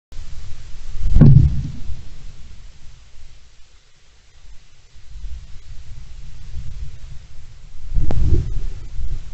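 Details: Low rumbling with two heavy thuds, one early and one near the end, and no animal voice.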